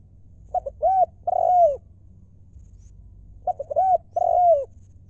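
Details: Decoy spotted dove calling in the 'lio' style, two brief notes leading into a rounded coo and a longer, falling drawn-out coo, repeated twice with a low steady background hum.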